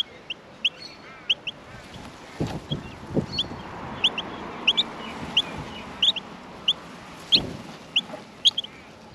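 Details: Australian miner nestlings in the nest during feeding; sharp high squeaks come in uneven bursts, with a few soft knocks and rustles in between.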